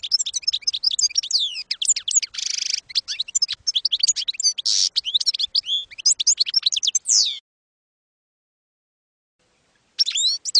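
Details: European goldfinch singing campero-style song as tutoring for young birds: seven seconds of fast, jangling twitter with two buzzy nasal bursts, silence, then the song resumes.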